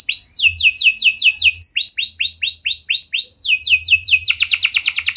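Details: Lure song of a canary meant to set other canaries singing: fast sliding notes, then a run of slower, looping down-slurred whistles, ending in a rapid, rolling trill over a faint low hum.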